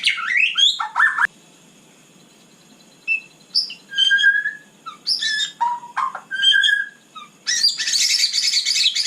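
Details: Night song of a white-rumped shama kept as a cage bird: varied clear whistled notes and short slurred phrases separated by pauses, ending in a dense harsh buzzy burst.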